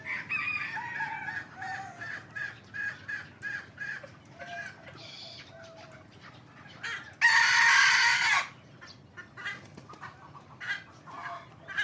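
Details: Hybrid Indian junglefowl crowing: a series of short harmonic, nasal calls rising and falling, with a loud harsh, broadband crow bursting out near the eighth second, then more clipped notes trailing off.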